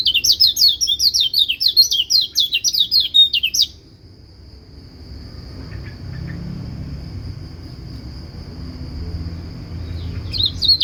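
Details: White-eye song that other white-eyes are said to answer: about three and a half seconds of rapid, high twittering notes, followed by a steady high whine. Faint low background rumble throughout.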